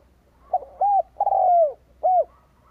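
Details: Lure-bird Spotted dove cooing to call in wild doves, one clean phrase: a soft note, an arched coo, a long descending drawn coo and a last short arched coo.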